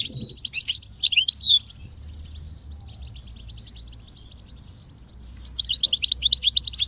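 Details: Goldfinch song recorded during motivation training of kept birds alongside chirping chicks: a quick twittering phrase of rising and falling whistled notes, a pause with faint chatter, then a rapid repeated trill of high chirps.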